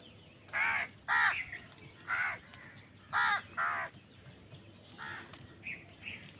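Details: A run of rasping crow caws, several in quick pairs, then fading to softer, more distant calls near the end, during a scramble for food; faint background chirping.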